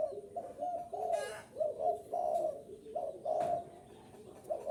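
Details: {'caption': 'Spotted dove coos used to attract wild doves: rounded, low coo phrases repeated about once a second, separated by short pauses, with a sharp click-like noise partway through.'}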